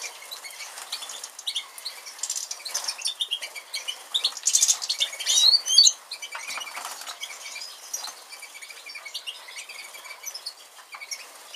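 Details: Captive European goldfinch of the Major type, a 2013 mutation bird: a fast, tinkling twitter of high chirps and trills that grows louder midway, with rustling and wing flutters.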